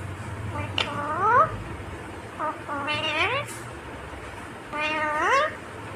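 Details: Indian ringneck parakeet speaking in three separate speech-like phrases, each a harmonic stack that rises in pitch at the end, spaced about two seconds apart, over faint low hum.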